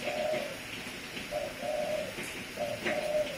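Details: Decoy spotted dove cooing steadily: mellow, level hoots in a repeating phrase of a short note followed by a longer double coo, heard about three times over faint room noise.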